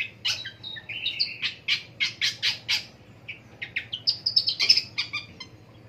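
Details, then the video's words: Pentet, the long-tailed shrike, heard in the morning giving rasping squawks and harsh buzzy notes mixed with higher chirps, delivered in quick bursts over a low background hum. "INDAHNYA DI PAGI HARI MENDENGAR SUARA PENTET"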